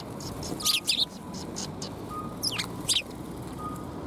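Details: Sparrows looking for food at a shrine, 12 February 2021: a few loud, sharp chirps in small clusters over a quiet, low background.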